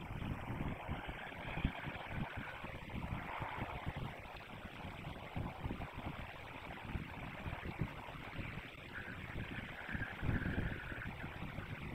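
Steady wind and rustling noise with low rumbling, no animal voices heard.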